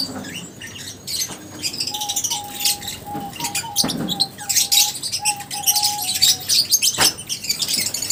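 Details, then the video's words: Noisy lovebird chorus of high chirps and squeaks, with a wavering series of short whistled notes in the middle and a couple of loud clicks. "Love birds Singing sounds | Chirping Sounds | 30 mins lovebirds sounds | lovebirds meeting sounds"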